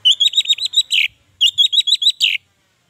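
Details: Orange-headed thrush song played to encourage sluggish captive birds to sing: two fast phrases of six or seven bright, chirpy whistles each, ending in a louder burred note, separated by a brief pause.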